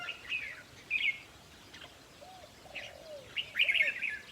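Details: Red-whiskered bulbul song played to excite caged birds at a trapping site: short bright warbled phrases separated by pauses, with softer low arched coo-like notes between them.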